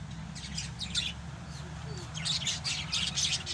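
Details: Pet African lovebirds giving rapid, high, scratchy chirps in quick irregular bursts, several every second, over a steady low hum.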